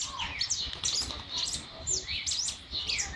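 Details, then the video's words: Monjita beginning to sing, a caged or kept bird warming up: thin, high chirps and short downslurred whistles tumbling in quick irregular bursts, with a faint low background hum. "monjita empezando a cantar"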